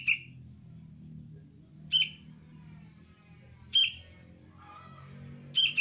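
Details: A young sooty-headed bulbul (kutilang cengkram) in basic luring training chirps sharply about every two seconds. Each call is short and bright with a trailing fall. Low rumbling noise runs throughout.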